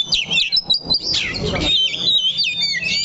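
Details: Oriental magpie-robin held in a cage and perched firmly, giving a short energetic phrase of high slurred whistles and quick chattering notes, opening with a few clipped chips.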